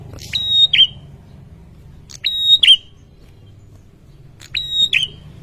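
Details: Ashy tailorbird calling after hearing a lure sound, agitated: three well-spaced high notes, each a level whistle ending in a quick buzzy drop, roughly every two seconds over a low rumbling background.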